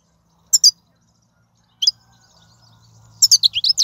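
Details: Wild European goldfinch song from 2019, meant to encourage caged birds to sing: two short high chirp pairs, then a quick run of rising and falling twittering notes at the end over a faint low hum.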